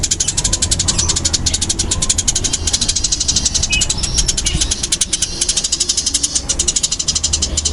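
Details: Unbroken, very rapid chirping of a fighting-type Eurasian tree sparrow, called burung gereja tarung, with loud high notes pouring out densely for the whole stretch and a low rumble beneath.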